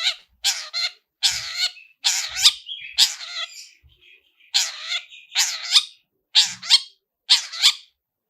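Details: Rich fill song of a long-tailed shrike, played as a lure to start singing: rapid chattering phrases of harsh, buzzy notes run together, with brief gaps and some softer twittering between bursts.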